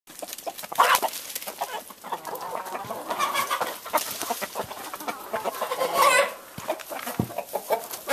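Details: Roosters and a gray hen mating on a ranch in northern California: brief clucking notes rise out of busy scratching and rustling, with a louder squawk near the end.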